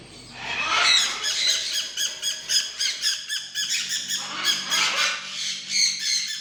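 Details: A tame macaw, ready to be trained for free flight, gives harsh, raspy squawks in quick bursts, several per second, broken by short pauses, with a faint low hum behind.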